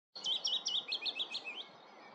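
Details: Common sandpiper at Lurgies, Montrose Basin: a quick run of about seven high, thin piping notes, evenly spaced roughly every fifth of a second, slightly wavering in pitch, with faint background hiss.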